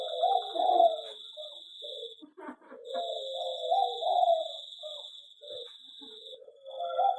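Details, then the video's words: Zebra dove in an aviary giving low, rolling coos in short bursts separated by pauses, with a steady high-pitched whine running through the background. "perkutut di aviary lebih cepat gacor dan bunyi"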